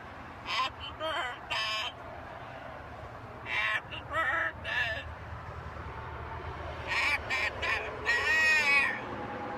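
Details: Macaw parrot producing harsh, raspy, speech-like bursts in three clusters of two or three calls each, over a noisy indoor background.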